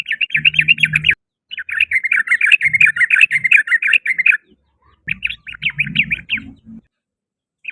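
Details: Sooty-headed bulbul in afternoon song, giving rapid bubbling chatter in three bursts, with low rumbling background noise underneath.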